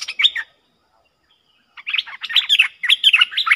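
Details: Two streak-eared bulbuls matched in a heated song duel, 30 October 2021. A short warbled phrase, a second of silence, then dense overlapping chattery notes jumping up and down in pitch.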